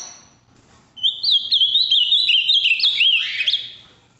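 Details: Firm song of a large, vivid blue ultramarine grosbeak from Minas Gerais. After a second of near silence comes a loud, rapid, high warbled phrase of trilled and whistled notes that ends in a burst before falling quiet.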